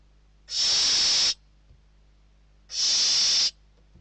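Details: Barn owl chicks in a nest in Spain fight over food, a bird delivered by a parent; two loud, steam-like hissing screeches, each lasting almost a second, about two seconds apart, over quiet background.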